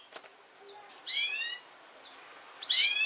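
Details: Female canary with two loud, rising, harmonic-rich chirps about a second and a half apart, with faint soft notes before them.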